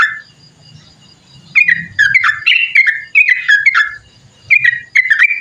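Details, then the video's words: A sooty-headed bulbul gives a single whistled note, falls quiet for a second, then bursts into a run of bright, bubbly slurred phrases with brief pauses. The long trilling song serves as a lure and tutor for other birds. "TRUCUKAN ROPEL PANJANG COCOK BUAT MASTERAN//ISIAN PANCINGAN SUARA BURUNG TRUCUKAN SUPER GACOR"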